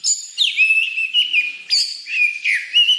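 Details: White-rumped shama in lively, full song, recorded for luring birds: clear whistled phrases that drop sharply then hold level, repeated in a bouncing series about every half second, no other sounds.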